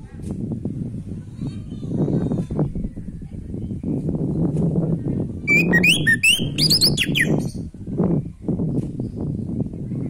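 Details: Orange-headed thrush singing, offered to stimulate other birds lacking breeding drive; a quick flurry of sharp, rising and falling notes appears midway for about two seconds over steady low rumbling background noise.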